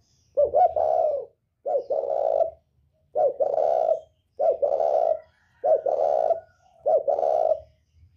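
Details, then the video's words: Northern-type spotted dove with a 'còi bổi' voice, used to provoke other birds: six mellow, low coo phrases, each about a second long, given at a steady pace with short silent gaps between them. "Chim cu gáy giọng còi bổi ghét kích chim rất hiệu quả, cu gáy miền bắc"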